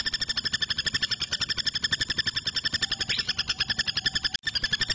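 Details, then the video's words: A female common flameback in active song, used as a tutor recording for training birds, gives a long, steady, high-pitched rattling trill of about ten sharp notes a second, unbroken except for one brief cut near the end. "SUARA BURUNG PELATUK BAWANG BETINA GACOR"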